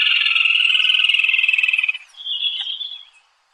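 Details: A rapid, rattling trill from an unbarred rufous crake, endemic to northern Venezuela, runs for two seconds with a slight downward slide. It ends in a thinner, higher whistled phrase that fades out.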